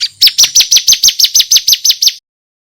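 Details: Ciblek kristal male, bar-winged prinia, masteran used to tutor contest birds: some thirteen loud, high chips, each falling in pitch, repeated quickly and steadily over two seconds, clean background.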